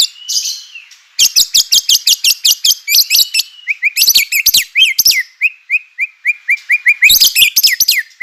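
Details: White-rumped shama singing as a lure for other shamas: rapid high chatter woven with swooping whistles, then a steady run of short descending whistled notes before the chatter returns.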